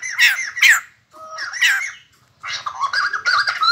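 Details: White-crested laughingthrush, a kept cage bird, singing: loud chattering phrases with harsh squawky notes in bursts, a pause, then a busier run of jumbled warbled notes.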